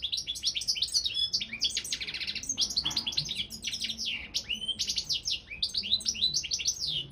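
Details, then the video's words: Goldfinch of the balcanica subspecies singing in a world championship contest run over the internet: continuous fast twittering with buzzy rattles and sharp rising and falling chips, a steady stream of varied notes throughout. "World Championship in Goldfinch Song"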